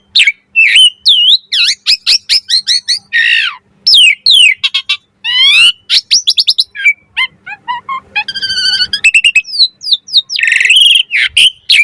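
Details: Asian pied starling 'mompa' variation song used to tutor and lure starlings: a dense, fast stream of varied whistles, chips and slurred notes with a brief buzzy trill near the end, almost no pauses.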